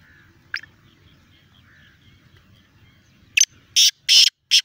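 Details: Black francolin calling in Sindh, Pakistan: one sharp short note, a quiet pause with faint distant calls, then four loud, harsh, rasping bursts in quick, uneven succession.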